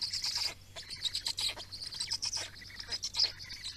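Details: Estonian black storks during feeding on 17 May 2019, giving a continuous stream of rasping, wheezy high calls that pulse rapidly, with a faint low background drone.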